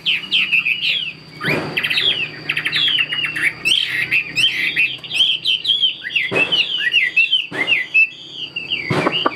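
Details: Chinese hwamei kept as a tame cage bird sings rich, quick whistled phrases and fluttering trills, interrupted by several loud cage clatters and thumps.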